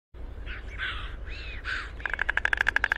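White stork: four harsh, drawn-out nasal calls, then a fast, even, wooden rattle of bill clattering. A low rumble runs underneath.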